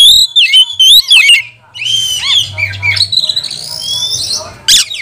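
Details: Oriental magpie-robin song used as a lure to train and provoke other magpie-robins: loud varied whistles, harsh buzzy notes and sliding phrases mixed together, with a faint low hum beneath.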